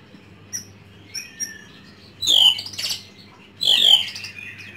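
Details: White-rumped shama kept at home in Indonesia, singing: a few sparse high thin notes, then two loud harsh, squawky phrases with buzzy, rising strokes about a second apart over a faint low hum.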